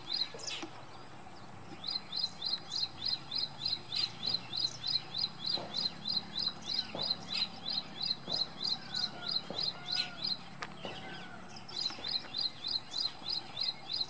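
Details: Singing ashy prinia, filmed April 3, 2022 on a Panasonic FZ-70: long series of sharp high chips, about three per second, with a brief pause near the end before the rhythmic notes resume, amid soft rural background noise.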